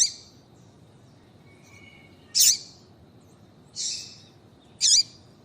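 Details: High calls from a female double-collared seedeater, meant to get a male singing. There are three sharp notes about one to one and a half seconds apart, with one softer and hissier. A faint whistle sounds before them.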